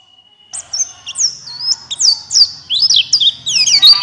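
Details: Buxtoni white-eye lure song to trigger singing in other white-eyes: after a faint steady tone, high twittering begins and builds into fast, rising, swooping warbles under a low hum.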